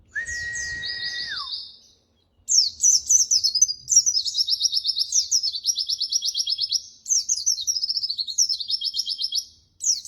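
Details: Singing white-eye (pleci) recorded as tutor material: a sustained flat whistle falls at its end, then a pause. After it come long bright runs of rapid, evenly pulsed high trills and warbled phrases repeated several times.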